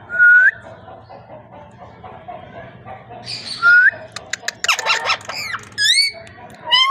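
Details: Parrot producing a short upward-sliding whistle, a pause, then a second rising whistle followed by a burst of harsh, rasping squawks and swooping, wavering tonal calls toward the end.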